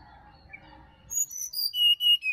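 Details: Bali forest sirdadu gives a lively run of piercing high whistles, short bright notes then longer falling ones, after a second of faint lower background calls.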